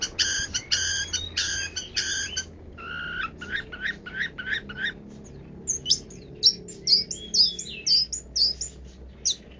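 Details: Long-tailed shrike, 'kaya rasa' song: a run of five rich, buzzy harmonic notes, then rapid clicking ticks, then high thin whistled chirps about two per second.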